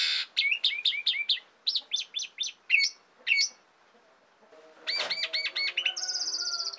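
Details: Asian pied starling song over a background of many birds: a fast run of repeated hooked chirps, a pause, then looping whistles and a thin, very high buzzing trill that carries to the end.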